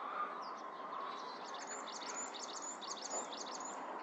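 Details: Varied tit calling in spring: a quick series of high, thin chirps and short downslurred notes, densely repeated through most of the recording, over a steady low background hum.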